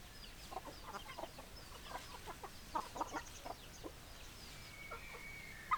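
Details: Chickens heard fairly faintly: short, scattered clucks come every fraction of a second, with a thin, steady high tone entering near the end and a soft background hiss.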